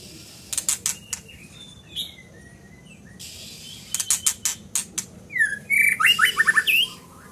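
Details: Sharp ticking clicks come first, then a scarlet minivet bursts into a fast cascade of high, downward-slurred whistled notes near the end.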